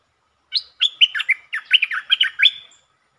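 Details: Streak-eared bulbul song recorded 13 February 2023, the bird performing many song types including long and doubled songs: a lively jumble of short bubbly whistled notes over about two seconds, on a quiet background.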